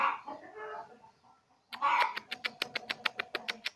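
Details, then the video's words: A three-month-old lovebird learning ngekek, the chattering song, gives raspy warbling chatter, goes briefly quiet, then restarts with a loud harsh burst followed by rapid, evenly spaced ticking pulses. "LOVE BIRD PAUD 3 BULAN BELAJAR NGEKEK"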